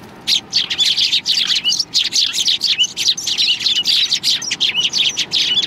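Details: A crowd of sparrows coming to be fed at a Tenmangu shrine on 16 January 2020 chirps continuously, a dense, chattering wall of high tweets with barely any gaps.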